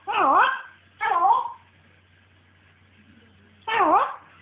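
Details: Pet African grey parrot going a bit mental: three wavering, nasal, whistle-like calls with rising and falling tones, two close together and a third after a pause of about two seconds.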